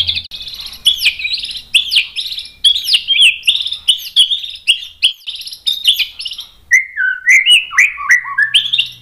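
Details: Energetic white-rumped shama song for provoking other shamas to answer: a rapid stream of clicks, chirps and whistled notes, then a lower series of slurred, falling whistles near the end.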